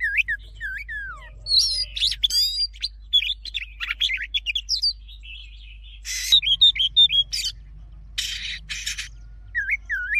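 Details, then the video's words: Oriental magpie-robin delivering a rich, varied forest-style song for training: rapid sequences of curling whistles, sharp chips and harsh scratchy bursts, with falling slurred notes repeated at start and end, over a low steady hum. "Choè than hót giọng rừng hay nhất"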